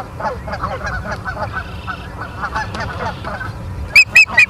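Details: Osprey at its nest in Charlo, Montana, on the evening of 9 September 2023, on a live nest cam: soft, lower chattering notes for several seconds, then three sharp, loud, high whistled chirps close together at the end.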